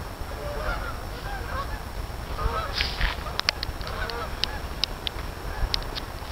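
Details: Geese honk in a soft overlapping chorus, joined by sharp clicking or tapping sounds repeated irregularly through the second half, over low rumble.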